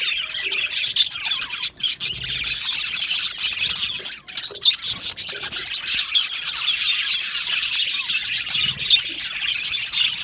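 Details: A flock of pet budgies in an aviary fills the air with continuous high chirping and warbling chatter, with a couple of brief dips in loudness.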